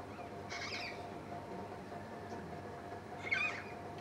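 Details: At a waterpoint, endangered pink cockatoos give two raspy, quavering screeches about three seconds apart, the second louder and closer, with a low steady hum beneath.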